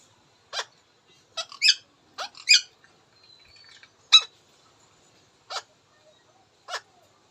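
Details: Indian ringneck parakeet talking in brisk high-pitched squeaky syllables, a quick cluster of three or four near the start, then single sharp notes separated by pauses of about a second.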